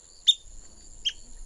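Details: A Long-billed Dowitcher in Santa Barbara County, California, gives two thin, high, sharp individual call notes about three-quarters of a second apart, over a faint steady hiss.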